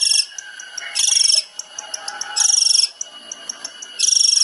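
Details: Long-tailed shrike master song for training songbirds, tembakan style: loud, buzzy, rasping bursts repeated about every one and a half seconds, with faint scattered high ticks between bursts.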